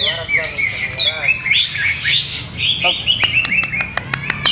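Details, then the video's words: Greater green leafbird kept in captivity, tested in a fresh setup: high, thin whistled phrases and twittering, ending in a string of crisp ticks about five per second, with soft background chatter. "CUCAK HIJAU"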